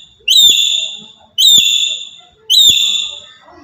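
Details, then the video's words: A black-capped lory from Papua calls loudly to bait other birds: three clear, shrill, high notes with a quick rise and a long falling tail, evenly spaced about a second apart. "Burung Nuri Kepala Hitam Dari Papua//Suara Lantang Buat Pancingan"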